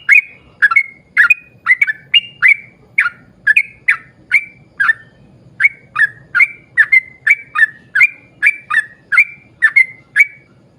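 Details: Energetic yellow-vented bulbul song played to lure other birds of its kind into singing, a long unbroken run of clear whistled notes in quick succession, some paired, with a quiet low hum beneath.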